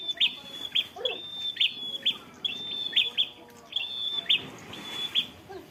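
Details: Prinia kept as a fighter bird, singing in ngalun style. Sharp clipped notes repeat about twice a second, linked by a thin steady whistled tone that holds one pitch. There is faint background noise.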